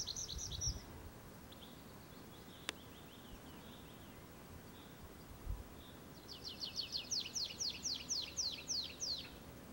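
A tree pipit sings a bright, high phrase of a dozen quick, repeated notes that speeds up toward the end, after softer scattered notes, over a low steady outdoor rumble.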